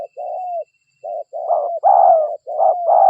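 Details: Local derkuku, a spotted dove, in a lure recording: nearly continuous hoarse cooing notes, growing louder toward the end, with a faint steady high tone early on.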